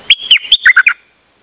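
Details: A dok taeng bird, recorded 8 September 2023, sings one quick phrase of about six sharp whistled notes, starting high and stepping down, each note clipped and bright, ending abruptly before silence.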